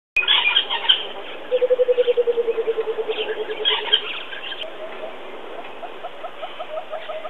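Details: A coucal at Djuma gives a run of about fifteen deep, hollow hoots that fall in pitch and slow down, then a softer second series, while other birds chatter.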